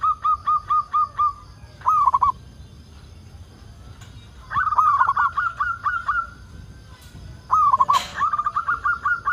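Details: Local zebra dove in full song, played as a lure to set other zebra doves singing: repeated runs of quick, evenly spaced cooing notes broken by short rolling phrases, with a brief click near the end.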